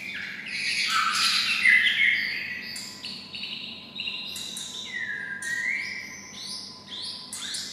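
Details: White-rumped shama kept close to red-whiskered bulbuls, imitating their voice: a loud rich warbled burst, then a series of short whistled phrases and a long falling whistle, with a faint low hum beneath.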